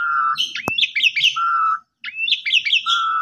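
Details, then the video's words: An Asian pied starling sings a varied phrase of low steady whistles alternating with rising, chattering notes, repeated after a short break; used to prompt silent or sulking pied starlings to sing. "Pancingan Jalak Suren Gacor"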